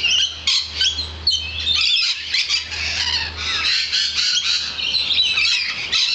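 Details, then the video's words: Many lorikeets gathered outside a balcony, their overlapping shrill screeches and raspy chattering forming an unbroken wall of high-pitched noise, with a low steady hum in the background. "Singing Lorikeets"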